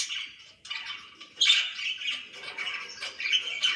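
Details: Domestic budgerigar: a short chirp, a pause, then steady scratchy chattering with squawky notes that grow louder and keep going.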